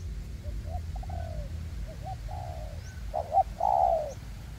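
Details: Spotted dove decoy birds, two working together (one caged on a stand, one on the ground) in a forest, luring a wild dove for trapping on a windy day. Soft low coos rise into a longer rolling cooing phrase, with steady wind rumble.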